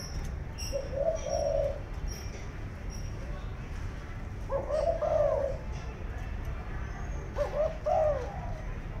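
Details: Spotted dove kept as a decoy bird for trapping in Vietnam gives low, husky cooing phrases, three spaced bursts across several seconds over a steady background rumble.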